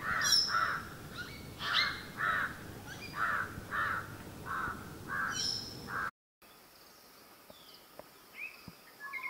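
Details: A southern hill myna at Hantana or Udawattekele in Kandy, Sri Lanka, gives loud, harsh, piercing notes in a quick series for about six seconds, then softer whistles, with faint birdsong behind.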